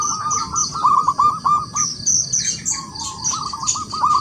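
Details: Local wild zebra dove calling rivals to sing: repeated, hooked low coos in quick runs, broken by a short pause. A busy chorus of high chirping birds fills the background.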